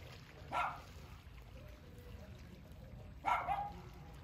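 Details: Ducks fighting; two loud, harsh quacking bursts about three seconds apart, with faint low murmuring and steady low background rumble between them.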